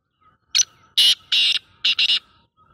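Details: Harsh, grating call of a black francolin, a short first note followed by two longer rasping notes and then a quick pair, with little background noise.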